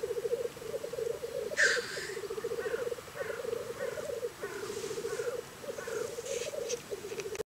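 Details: On a very cold morning in Scotland, black grouse give a steady, low, bubbling cooing in long overlapping phrases, with a sharp hissing sneeze near the start and fainter hisses later.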